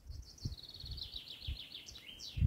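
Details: In sunny spring taiga forest, a common chaffinch sings a bright, quick trill that steps down the scale and ends in a brief rising flourish, with tits also calling, over a low rumble of background noise.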